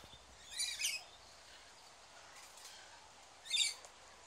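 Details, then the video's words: Tiny hand-reared rainbow lorikeet chick, one of two at Bristol Zoo Gardens, being syringe-fed warm nectar by keepers, gives harsh, raspy, high-pitched begging squawks in two short bursts about three seconds apart, with a fainter rasp between. "Rainbow lorikeet chick being hand fed"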